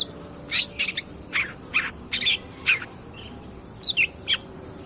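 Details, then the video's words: Long-tailed shrike in full voice, recorded as a lure to prompt other birds to sing: loud, separate, sharp chirping notes roughly twice a second, ending with a few thinner, higher squeaks. "pancingan cedet pastol gacor"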